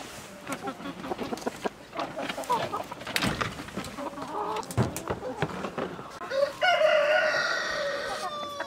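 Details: Village chickens with scattered short clucks and clicks, then a louder harmonic call near the end; a busy, noisy farmyard background.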